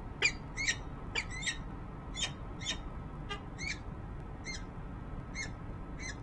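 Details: Female peregrine falcon recorded on a nest camera atop a Harrisburg, Pennsylvania, building in January 2013. A rapid string of grating, harsh call notes starts loud and gradually fades, over a faint electrical hum.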